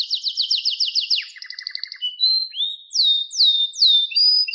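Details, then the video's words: Canary singing a rapid rolling trill of short sweeping notes, then a lower buzzy trill, a rising whistle, and several slow downward-sweeping notes with a steady tone at the end. "Wonderfull Canary Singing"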